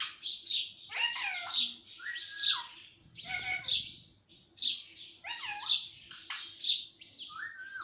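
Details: Talking pet parrot that reportedly says everything, including papa and mummy; rapid chattering, speech-like phrases with sliding harmonic tones and scratchy squawks, about one burst per second, with a short noisy pause midway.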